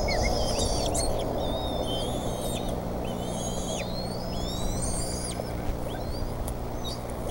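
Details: Bald eagles at their Decorah nest during a fish delivery, 28 May 2014: repeated high, piping whistled notes with slurred rising and falling slides over constant loud low-pitched background noise.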